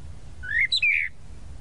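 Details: Tropical mockingbird, known as sabiá-da-praia, singing one short phrase: a rising slurred whistle, a brief high clipped note, then a longer downslurred whistle, over a faint low background rumble.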